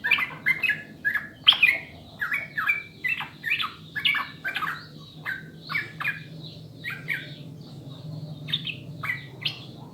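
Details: Sooty-headed bulbul song used to encourage caged birds to sing: ten seconds of continuous bubbling whistled phrases, varied and lively, notes rising and falling, above a low steady hum.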